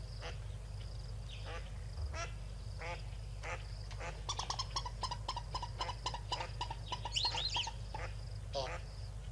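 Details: Yellow-billed duck with six ducklings at Tau Waterhole on 12 February 2022 around 4 PM; repeated short nasal quacks, then a burst of rapid, high peeping calls mid-clip over low steady background rumble.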